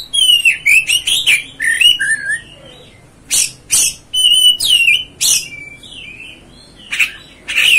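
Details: Provoking song of an Oriental magpie-robin, or kacer, used to stir up other kacer: quick run of varied whistles and scratchy notes, a pause, then sharp bursts and a long flat whistle.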